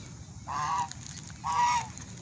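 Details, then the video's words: A swan gives two loud, nasal honks about a second apart, each a brassy, slightly falling note, over a low background rumble. "swan loud noise"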